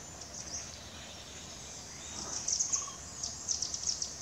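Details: Velvet-fronted nuthatch (Sitta frontalis) calling in India: very high, thin, sharp chipping notes in quick bursts of three or four, over a steady high-pitched background hiss.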